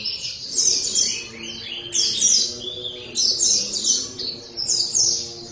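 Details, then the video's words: Oriental white-eye singing vigorously: short bursts of high, thin twittering phrases with quick falling slurred notes, repeated roughly every one to one and a half seconds, over a faint low hum. "Pleci langsung gacor dalam 1 menit"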